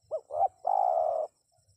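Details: One spotted dove phrase meant to prompt wild birds to respond: a short looped note, a swelling second note, then a long, slightly pulsing coo lasting over half a second before silence.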